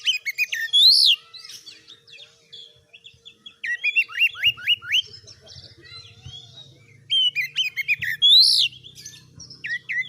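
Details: Oriental magpie-robin (kacer) in vigorous song, loud high swooping whistles alternating with rapid runs of repeated slurred notes, with a low buzzing hum in the middle section.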